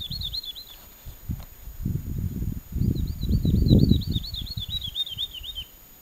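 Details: Woodlark singing in early summer on fallow former pasture in southern Alentejo, Portugal, about 20 metres away: two phrases of liquid, wavering high notes repeated quickly, the second longer and slowly descending, over low rumbling wind noise.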